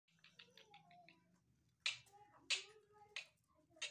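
Black francolin: a quick run of short clicking notes, then loud, harsh, grating bursts about every two-thirds of a second.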